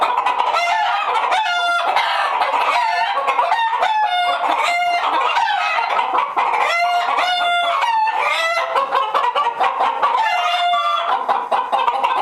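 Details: Uneasy hens in a henhouse keep up a loud, steady cackling chorus, with repeated harsh squawks bursting out every second or so above the constant overlapping clucks of the flock.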